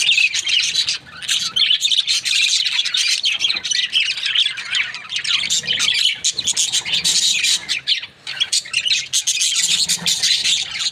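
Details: Budgerigars kept as breeding pairs, a dense, continuous chatter of warbled chirps and squawks from several birds at once, high and scratchy, with only brief dips near one and eight seconds.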